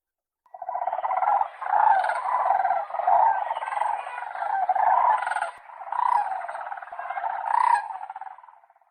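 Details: Several cranes trumpeting together in a continuous, overlapping chorus of rolling, honking notes lasting about eight seconds and rising and falling in loudness.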